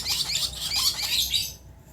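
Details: Lovebird chick practising its first sounds, giving a continuous stream of scratchy, hissing high calls that fade out near the end, with a low background hum.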